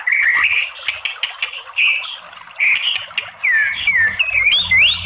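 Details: Female white-rumped shama voice used as a lure to provoke other shamas into singing: bright whistled notes around a steady pitch, then rapid rising and falling slurred whistles mixed with sharp clicks and harsh chatter, with faint low hum beneath.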